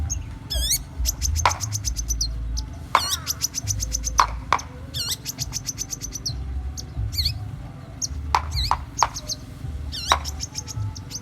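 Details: Long-tailed shrike from Indonesia singing vigorously with goat-mimicking material: sharp high whistles, rapid ticking notes and repeated downward-curving harmonic calls in bursts, with steady low hum in the background.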